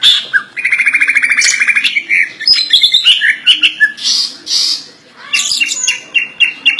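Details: Kept greater green leafbird singing full isian, a song of learned imitations: an opening note, a rapid buzzing trill, then a jumble of loud whistles, squeaks and rasping bursts, a brief silence, and more varied phrases.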